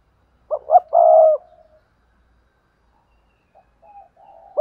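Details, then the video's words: Spotted dove lure bird used to get newly caught doves cooing; one phrase of two quick coos and a long buzzy croo, then silence and faint soft murmuring notes. "Tiếng chim cu gáy kích bổi nhanh nổi// cu gáy mồi luyện bổi nhanh gáy"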